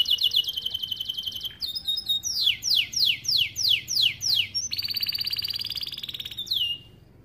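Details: Starblue canary song meant for training young birds: a rapid high trill, a series of sweeping downward slurs about every half second, then a long even buzzy roll that fades with a final swoop.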